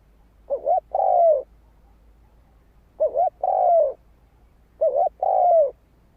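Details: Spotted dove singing to entice wild doves to a decoy. Three evenly spaced phrases about two seconds apart, each a quick two-note coo then an extended descending note, over steady low hum.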